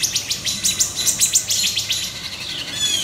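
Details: Wood thrush scolding a juvenile great horned owl by its nest area, woodland, July 6 2019: a quick series of sharp, percussive pit clicks, evenly spaced, fading into a thin high whistle at the end.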